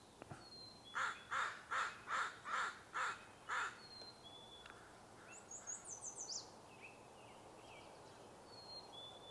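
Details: A couple of American Crows flying through a marsh in the morning give a run of six harsh, even caws about every half second, then softer, fainter caws; thin high bird whistles and chips behind.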